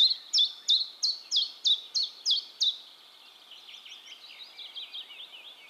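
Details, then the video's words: Common chiffchaff singing in Heemskerk, the Netherlands; eight crisp, high, evenly spaced notes about three per second, then the song stops and fainter twittering from another bird continues. "Chiffchaff Singing"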